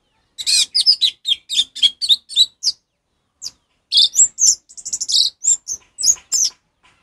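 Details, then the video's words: Orange-headed thrush in 'ngeplong' song, a training recording for caged birds that have gone silent; fast rattling run of bright chirps, a short pause, then a varied stream of high whistled and warbled notes. "suara Anis merah ngeplong untuk masteran burung Anis merah macet"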